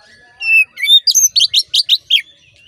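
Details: Oriental magpie-robin song meant to make a caged male aggressive and singing: thin whistled tones lead into a fast series of about six loud, bright, downward-slurred notes, evenly spaced.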